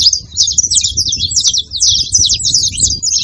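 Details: Saffron finches calling all at once: rapid, bright, overlapping chirps and slurred high notes forming a steady jumble, over a murmuring low background noise.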